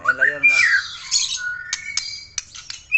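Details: White-rumped shama of the Aceh type singing energetically: a harsh, harmonic-rich opening note, then a bright whistled note and a string of sharp clicks and short chips in quick succession.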